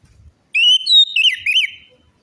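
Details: Orange-headed thrush song meant to coax a bird that has stopped singing or is stressed: a rising whistle leading into rich, wavering, slurred phrases, with faint low rumbling before it.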